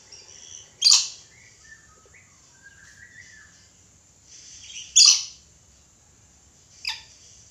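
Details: Red lory, its natural call: loud harsh screeching bursts near 1 and 5 seconds and a shorter one near 7 seconds, with faint whistles and quiet background between.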